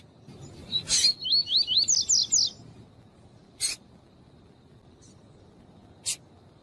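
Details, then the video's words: Female double-collared seedeater calling to warm up and stimulate a cold male, a bird kept by breeders: a quick run of about eight high, twisting chirps over a second and a half, with sharp clicks before and after. "COLEIRO TUÍ-TUÍ COM FÊMEA CHAMANDO PARA ESQUENTAR COLEIRO FRIO"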